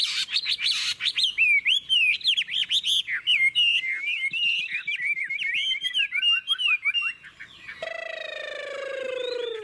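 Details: Caged Chinese hwamei from Vietnam, praised for an unmistakable wild forest voice, stretching up almost to the cage roof as it sings: fast, loud, looping whistled phrases for about eight seconds, then a harsher, descending, harmonic-rich note.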